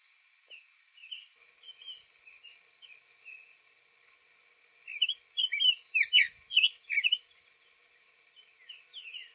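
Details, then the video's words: Male Summer Tanager singing rather softly in April at a Florida nesting site, with a second bird audible nearby; scattered quiet notes and thin high pips, then a loud burst of sweet, burry, warbled phrases. "Summer Tanager Singing Softly"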